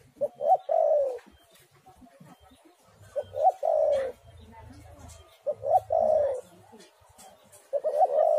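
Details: Spotted dove song played as a lure: short coos rising into a long, falling coo, with four phrases spaced out and a faint murmur in the background.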